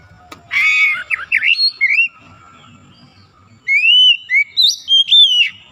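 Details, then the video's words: Bird being brought back to full song, a white-rumped shama, delivers a buzzy rasping phrase and rising whistles, a pause with low hum, then another run of clear sliding whistled notes. "PEMULIHAN KACER YANG MALAS BUNYI JADI GACOR"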